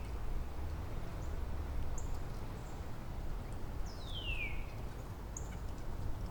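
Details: Northern Cardinal in Angrignon Park, one of several neighbouring cardinals exchanging variants of a downward sliding song theme; a single clear whistle slides steeply down from high to mid pitch, with faint short high notes of other birds and low steady rumble.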